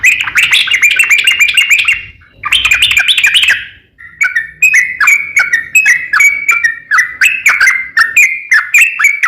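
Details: Yellow-vented bulbul song meant as a lure to make other bulbuls sing: two dense bursts of fast jumbled chatter, then a steady series of clicking, slurred whistles for the remaining seconds.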